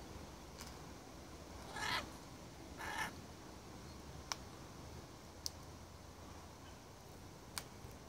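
Carnaby's black-cockatoo gives two harsh, drawn-out wailing calls about a second apart over a steady hiss, followed by a few sharp clicks.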